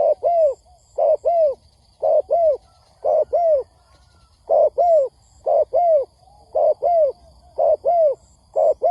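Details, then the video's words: Spotted dove lure call for trapping: steady paired coos, a short note then a longer downward-curving one, repeated about once a second across nine seconds, with faint high ticks. "Tiếng Chim Cu Gáy kích bổi nhanh nổi"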